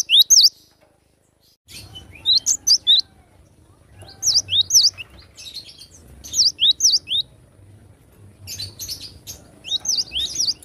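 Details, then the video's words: Song of a wild cinereous tit: after a short silence, clusters of high, piercing V-shaped whistles come in phrases of three to four notes, about every two seconds, with soft rural background noise. "Glatik batu suara asli alam liar gacor"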